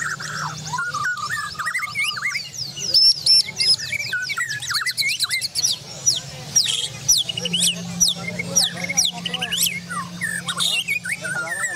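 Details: Borneo-style white-rumped shamas, kept birds at a song-competition community meet in Java, singing in overlapping chorus: fast mimicking runs of high sweeping whistles, dense clicky trills and mid-pitched warbles, over a low hum and murmured human speech.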